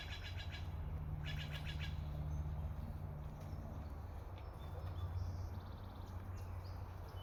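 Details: Steller's jay in British Columbia, Canada gives two quick runs of harsh, rasping notes early on, then faint high chirps from other birds over a steady low rumble of wind or traffic.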